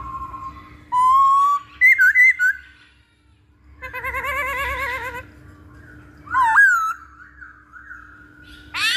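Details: Masked laughingthrush, a lure recording for drawing in or training birds: clear whistled phrases, a rising slur, a loud wavering harsh burst with stacked overtones, a quick falling whistle and a closing squeal; steady low hum underneath.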